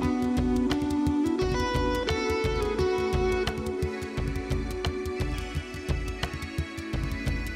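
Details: Plucked strings and violin play rhythmic background music with steady beats and no animal calls.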